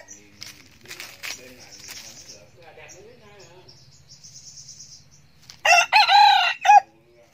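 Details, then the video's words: Captive young male red junglefowl, a decoy bird that crows often. Soft chirps and faint background noises come first, then one loud, harmonic crow in several quick connected syllables near the end. "Gà tơ siêng gáy, gà rừng mồi"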